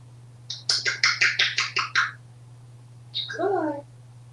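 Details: Talkative male African grey parrot kept as a pet in Texas, reacting to pizza. A rapid run of eight sharp clicking chirps is followed by a brief wavering, descending whistled sound over a constant low hum.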